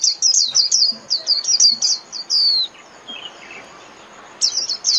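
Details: Japanese white-eye in the 'líu' song style, used for training caged birds: rapid high, thin, downslurred whistled notes in a dense run for over two seconds, then a pause and a fresh burst at the end.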